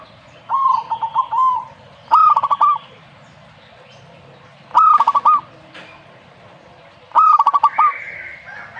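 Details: Zebra dove song repeated four times, about every two seconds. Each phrase is a fast series of clipped coos ending in a rolling trill, and a softer higher note comes near the close.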